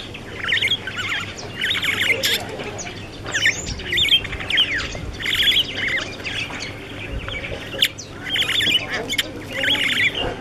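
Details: Starling giving a busy run of squawks, clicks, rising and falling whistles and chattering notes in short bursts, outdoors with low background rumble.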